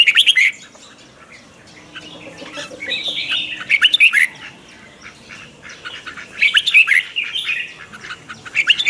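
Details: Red-whiskered bulbul morning training song, twisted-voice lure chatter: short harsh chattering phrases with slurred whistles, separated by longer quiet stretches.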